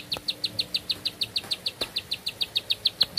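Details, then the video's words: Bar-winged prinia singing energetically, one long-breathed song: a fast, even run of short, high chirps, about six per second, steady in pitch and loudness, over faint low background rumble. "Nafas Panjang, Nembak Satu Lagu, Ciblek Sawah Gacor"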